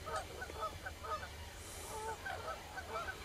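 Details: Common cranes in chorus, with short honking notes repeated rapidly and irregularly, roughly two per second, overlapping voices of several birds over a constant low hum.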